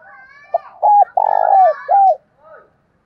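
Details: Decoy spotted dove with a 'thổ đồng' voice, calling wild doves: a short note, a hooked coo, a long pulsing coo and a down-sliding last coo, over fainter chattering of other birds.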